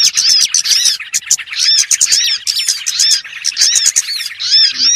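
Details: Small-bird lure for trapping: quick clusters of sharp, high chips and curling whistles in repeated bunches, the chorus dense and bright throughout.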